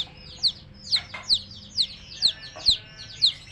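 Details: Baby chicks giving loud, high descending peeps, about two per second in an uneven rhythm, each note a short downward-sliding whistle over a faint low hum.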